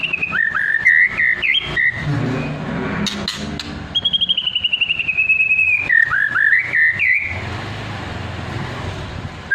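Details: White-rumped shama song in the rapid trotol and pastol styles, used as a lure to provoke other birds to sing; loud clear whistles, falling and rising phrases, a long trilled note, over rumbling background noise.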